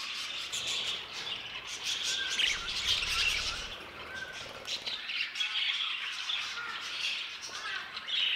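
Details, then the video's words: Aviary budgerigars giving a continuous flock chatter of high warbled chirps and squawks, with a few short whistled notes and a low rumble of background noise midway. "MI ANTIGUO AVIARIO DE PERIQUITOS"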